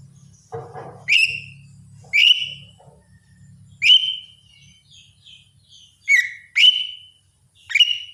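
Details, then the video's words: Actively singing greater green leafbird. Loud, piercing whistled notes rise sharply then hold steady, given singly or in close pairs, with soft chirps and a brief low rustle between. "cucak ijo gacor"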